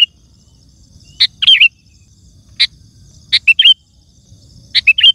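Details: Vigorous sooty-headed bulbul song meant to draw wild bulbuls and get caged ones singing. Sharp clicky notes are followed by quick whistled twists, in phrases spaced about a second or two apart.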